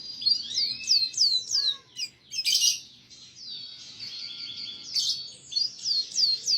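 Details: Canary tutor song for young canaries: rhythmic downslurred whistles, a raspy burst, a sustained high trill, then another series of sharp descending whistles.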